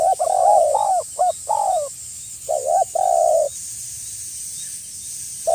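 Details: Lively spotted dove call meant to provoke a rival and pull wild doves near, from Indonesia: a run of low, hollow coos, some long and some clipped, repeating in two bursts with a pause, against a steady high-pitched hiss.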